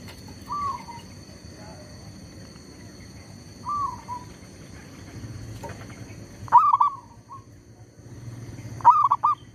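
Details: Decoy zebra dove used in bird trapping, unbothered by a tree squirrel nearby. Soft, drawn-out cooing notes at first, then two loud phrases near the end of rapid, broken, stuttered coos over a low background rumble.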